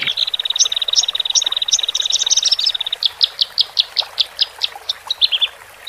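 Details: Horsfield's bush lark song from male and female, meant to relax newly caged birds: a fast steady rattle of high clicking notes for three seconds, then slower separate sharp chirps roughly twice per second.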